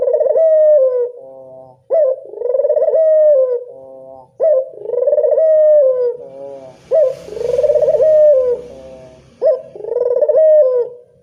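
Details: Local Barbary dove calling as a lure for doves: five rhythmic low coos, each with a rising start and a trembling roll, about every two and a half seconds, with a brief soft hiss midway.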